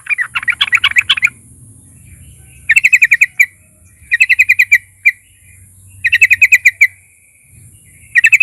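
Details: Lure song of a yellow-vented bulbul meant to draw out other bulbuls: an opening jumbled warble, then several clipped bursts of fast, even stuttering pulses, each about a second long, with an isolated single note between.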